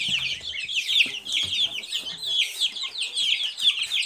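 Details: A brood of Silkie chickens' chicks peeping nonstop, many shrill descending cheeps layered into a steady high chatter, with soft low knocks early on.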